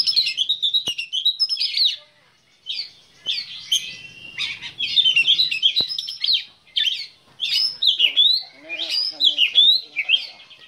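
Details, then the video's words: Kept Oriental magpie-robin of the black-breasted type delivering a long, lively song: quick high whistled phrases, trills and sharp slurred notes in changing bursts, with brief gaps and a soft background hum. "KICAU KACER DADA HITAM"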